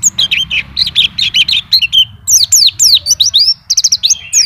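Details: Nonstop white-eye song with fill-in phrases: about two seconds of fast, even chirps, then a series of sharper, sweeping high notes delivered in quick rhythmic clusters.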